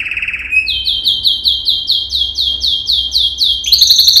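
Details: A yellow canary, Serinus canaria, singing a training song: a buzzy trill, then a long run of rapid, evenly repeated high slurred notes, ending in a fast chattering trill, over a faint low hum.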